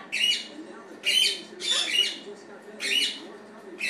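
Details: Pet male blue-fronted amazon at home, wanting attention from its owners, gives harsh, raspy squawks in short bursts about once a second, with quieter mumbling sounds between them.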